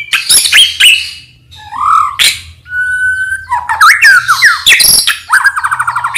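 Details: Singing white-rumped shama of the Medan type, used as a lure to provoke other shamas: rich varied whistles, a long steady pure tone, twisting warbled phrases and fast repeated rattling notes.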